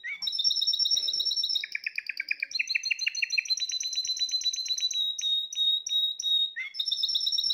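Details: Spanish Timbrado canary, a bird from the 2020 season, in loud continuous song: fast rolling trills of repeated notes over sustained high whistled tones, changing tour every second or two without a break.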